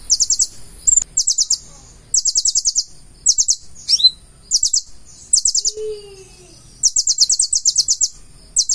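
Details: Konin (purple-throated sunbird) in vigorous song filled with learned phrases: repeated bursts of fast, buzzy, very high rattling trills, each about half a second long, with one lower sliding whistle in between.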